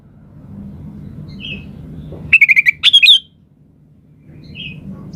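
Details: A lively 'gacor' sooty-headed bulbul sings one phrase: a burst of five fast identical notes, then a looping rising-and-falling whistle. Soft chirps and a low hum follow.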